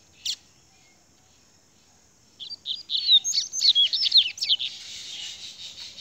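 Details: Rusty-collared seedeater singing in the 'grego' style: after one sharp opening note and a pause, a fast run of high, varied chirps and slurred whistles pours out, ending in a dense buzzy trill; quiet background.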